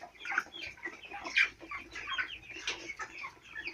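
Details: Four-week-old chicks on a farm, a flock peeping together: overlapping high chirps and short trills, some rising and falling, with scattered louder peeps rising above the steady chatter.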